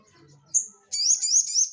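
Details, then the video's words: Sogon, or crested jay, in energetic ngeleper song, used to provoke or tutor caged birds. A single thin whistle is followed by a rapid, buzzy rattle of high notes that runs to the end. "SOGON GACOR NGELEPER UNTUK PANCINGAN BUNYI ATAU MASTERAN"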